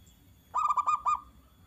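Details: Zebra dove singing to provoke other doves into replying: a brief burst of five quick, staccato mid-pitched notes, closely spaced, followed by quiet background.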